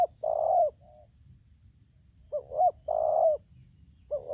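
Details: Decoy spotted dove from Lampung singing toward a wild bird, 'tarik akar selang nguku' style: a drawn-out rough coo with a short tail note, a pause, then two upslurred coos and a second long coo.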